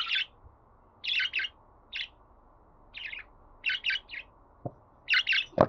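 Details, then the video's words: Budgerigar uttering bright chirps in clusters of two or three, pausing between groups, with a soft tap near the end and hum underneath. "Muhabbet Kuşu Sesi"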